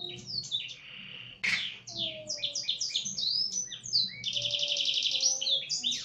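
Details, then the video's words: Canary with a Blackthroat-style tutored song: varied high chirps, a loud burst, then flowing swept notes ending in a fast, rattling buzz held for over a second before more rising whistles. "Kenari isian Blackthroat"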